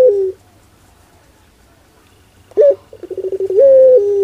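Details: Ringneck dove, pelung cooing style: a long coo trails off, silence follows, then a sharp rising note, an accelerating series of short pulsed coos and a long sustained level coo that steps down at the end.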